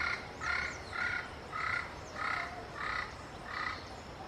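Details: Yellow-fronted parrot calling to its peers, giving seven evenly spaced raspy squawks with a clear double tone, roughly one every half second, over faint ambient noise.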